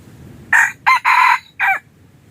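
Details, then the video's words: Crow of a red junglefowl used for decoy hunting of wild birds: four-part phrase with two clipped opening notes, a sustained harsh central note and a short dropping ending, clear against low background hiss. "ต่อไก่ป่า yos hav zoov dib qaib qus tuaj zoo heev"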